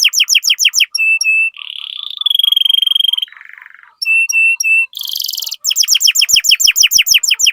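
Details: Lure song of a prolific canary for training others: chirp series, short pure whistles, a long buzzy trill, a lower rattle and then fast repeated downward-sweeping notes.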